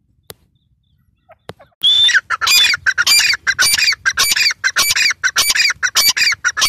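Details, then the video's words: Near silence with a few faint clicks for almost two seconds, then a female grey francolin breaks into loud, rasping, repeated notes, each with a thin whistled streak at the top, roughly two per second. "female teetar ki awaz"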